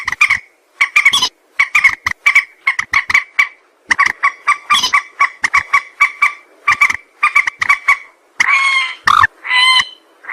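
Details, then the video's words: A white-breasted waterhen's rapid, continuous series of harsh croaking notes, used as a trapping lure, ending with several longer, drawn-out, wavering honks. "suara mandar sawah"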